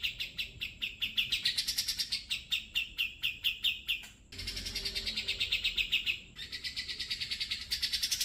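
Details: Grey-cheeked bulbul song used as a training reference for magpie robins and white-rumped shamas: a fast run of sharp repeated chirps that climbs in pitch, then a dense buzzy trill, another pause, and more rapid trilled notes.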